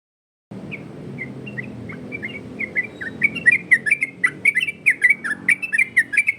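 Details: Yellow-vented bulbul song in a varied style, used as a master and lure recording for training other bulbuls: after a half-second of silence, rapid bubbling whistled notes grow louder, with dense chattering phrases and a low background hum.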